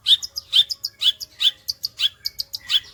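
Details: Long-tailed shrike singing vigorously, repeating a short phrase about twice a second, each a sharp whistled note followed by small high chips.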